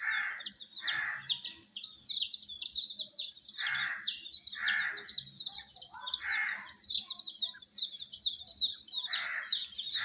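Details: Group of baby chickens with coloured down calling nonstop, high thin peeps jostling and overlapping, punctuated by hushing noisy pulses at irregular intervals of about one to two seconds.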